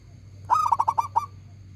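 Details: One phrase from a loud-voiced local zebra dove: a quick burst of six or seven throaty, bubbling coo notes, the final note slightly separated, over a low constant hum.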